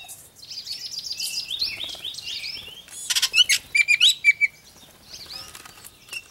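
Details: Baltimore orioles squabbling over grape jelly give a run of high, slurred whistled notes, then a burst of sharp chattering pulses and clipped whistles repeated about four times a second, fading into softer scattered notes.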